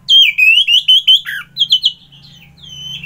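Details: Loud, fluid song of an orange-headed thrush: a chain of rolling, wavering whistles, a brief drop in pitch, then a second set of quick notes fading into a thin held tone.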